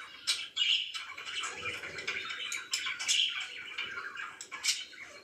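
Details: Budgerigars kept as pets chirp in the morning, sharp clicking chirps and brief whistled squeaks scattered over a softer chattering background, with slight indoor rumble.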